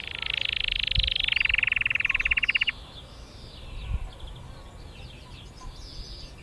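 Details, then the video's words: A canary in Mesaria village, Santorini, sings a bright, rolling high trill that slows into a rapid pulsed rattle, lasting under three seconds, followed by faint chirps over low background noise. "canary singing"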